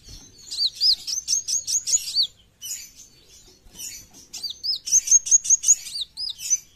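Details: Brown-throated sunbird singing full besetan: two bursts of fast, shrill chirps with hooked down-slurred notes, separated by softer scratchy twittering.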